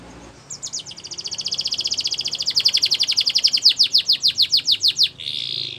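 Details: A Gloster canary sings a long accelerating trill that builds in loudness, its high repeated notes slowing into distinct sweeps near the end, followed by a brief buzzy burst.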